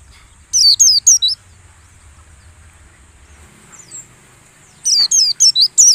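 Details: White-eye lure song to make caged birds sing like wild ones during the morning dew session: four rapid high downslurred whistles, a long quiet stretch with one faint note, then another fast run of five.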